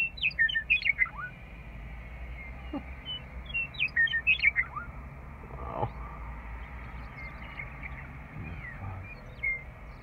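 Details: {'caption': 'Returning western meadowlark on the refuge loop drive at Rocky Mountain Arsenal in spring, repeating a jumbled, flutelike phrase that ends in a downward slur, twice in the first five seconds, then fainter calls amid engine hum.'}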